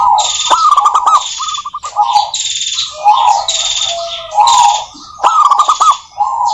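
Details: Local zebra doves singing vigorously, intended as a lure for doves. Overlapping rolling coos and stuttered trills with hissy higher sounds and scattered sharp ticks throughout.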